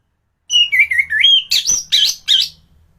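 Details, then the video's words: Thrush in top singing form, recorded as a training song for other thrushes: a run of clear whistled notes stepping down in pitch, then louder, higher, warbled and trilled phrases in quick succession, with a low hum beneath. "Burung anis gacoran || masteran untuk burung anis"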